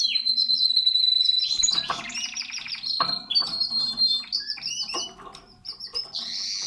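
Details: Canary at its nest opens with a steady high whistled tone, then shifts into rapid trills, rattling bursts and bright warbled phrases; faint low background hum.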